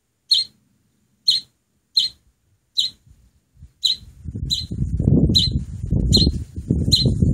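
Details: Hand-raised oriental greenfinch nestling, a week after rescue, feathers coming in; sharp rasping begging chirps at steady intervals, joined halfway through by loud low rustling and handling noise.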